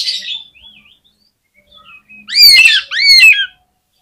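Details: Kacer, or Oriental magpie-robin, giving fighting song to rouse rival birds: soft wavering whistles, then two loud phrases of bright sweeping, overlapping whistled notes, each about half a second long.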